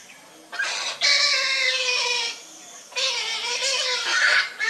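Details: Grey heron chick (Ardea cinerea) begging while being fed: harsh, rasping, honking calls in two long, noisy bursts, rising and falling slightly, with a brief quieter pause between them.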